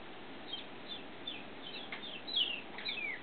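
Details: A 6-year-old male pet blue-headed pionus parrot, doing tricks for slivered almonds and wary of a new tripod, gives soft, short high chirps and squeaks, roughly two per second, slightly louder toward the end, in a quiet room.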